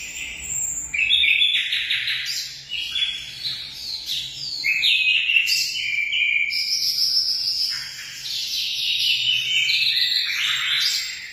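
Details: Munia producing a long run of high, tinkling chirps and short whistled slurs, busy and uneven, with shrill buzzy notes layered between the phrases.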